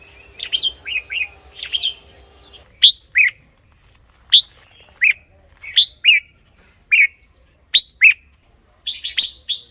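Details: Red-whiskered bulbul song for use as a decoy or to make caged birds lively: clustered warbled notes at first over a low hum, then single bright, downslurred chirps repeated about once a second.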